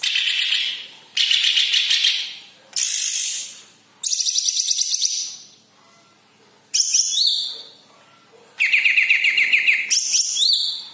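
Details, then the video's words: Yellow-headed green leafbird in full song, used to get other kept birds singing: long buzzy phrases of fast rattling notes alternating with sharp rising whistles, separated by brief pauses. "KICAU BURUNG CUCAK IJO KEPALA KUNING"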